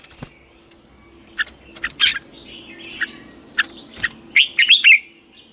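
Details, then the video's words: Red-whiskered bulbul singing in the chattering 'ché' style, a morning voice-training song used as a lure to stir other bulbuls. Scattered bright chirps and short warbled phrases build toward a denser burst of trills near the end, with clicks between. "Chào mào hót ché luyện giọng quá hay"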